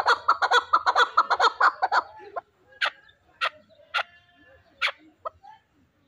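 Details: Chukar partridge, a fighting bird, gives a quick run of chuck notes for about two seconds, then breaks into sparser single harsh calls spaced roughly half a second to a second apart.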